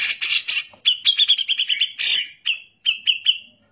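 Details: Grey-cheeked bulbul (cucak jenggot) in loud 'gacor' song meant for training other songbirds: harsh rasping notes lead into rapid clear repeated whistles that slow and space out toward the end.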